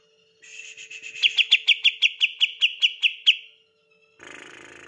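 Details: Caged green leafbird singing to draw others into song: a rising buzz leading into a steady series of about twelve sharp, evenly spaced whistled notes, then a brief noisy burst.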